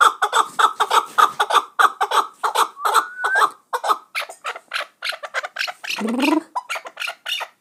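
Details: Chukar partridge kept for hunting in Muminobod, repeating fast clucking chuk notes in an irregular run, with one drawn-out whistled note and a brief lower, harsher squawk near the end.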